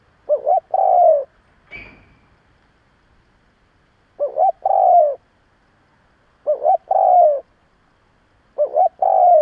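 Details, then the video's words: Keeper's spotted dove decoy, used to incite other doves, coos in a steady series. About four phrases, each a bubbly two-note start and a long, soft, descending coo, come at intervals of around two seconds. One sharp click sounds early on. "Cu gáy gù gáy kích bổi cực mạnh / Tiếng cu gáy hay kích bổi / Cu mồi thúc gù kích cực mạnh"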